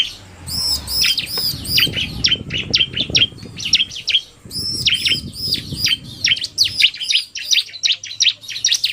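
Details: Bar-winged prinia, narung male with fast female, sharp chirping runs and arched high notes over a low rustling background in the first half.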